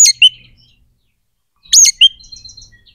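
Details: Kacer, the Oriental magpie-robin, singing 'gacor' to provoke emotion and breeding urge in other birds: two shrill bursts of piercing whistles, each ending in a dropping chirp, split by a long pause, followed by soft faint repeated notes.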